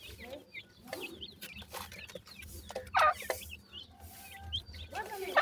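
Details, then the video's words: Baby grey francolins fighting with their mother after being fed give thin, high chirps that slide downward, scattered and overlapping. Low rumbling and sharp knocks sound between the calls. "pheasant bird chicks fight with their mother after feeding,baby teetar"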